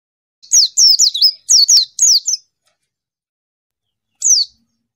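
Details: White-eye calling to a rival: a fast burst of about ten high, clipped, downward-sliding notes over two seconds, then a pause and one lone repeat note, cleanly recorded.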